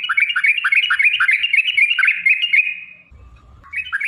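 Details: Rolling lure song of a sooty-headed bulbul (trucukan), meant to get other bulbuls singing: fast run of bubbly whistled notes for nearly three seconds, a pause with low noise, then the phrase resuming.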